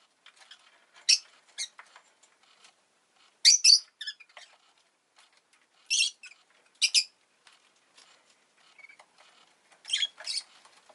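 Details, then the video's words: Rosy-faced lovebird, kept as a pet, chirping around the time an egg was laid: short harsh bursts of high, buzzy chirps in clusters a couple of seconds apart, with quiet gaps between. "Lovebird Chirping Sounds"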